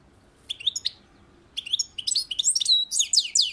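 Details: On a balcony, a European goldfinch gives a short twittering phrase, pauses about a second, then launches into a longer run of bright, high, liquid chirps and slurred whistles.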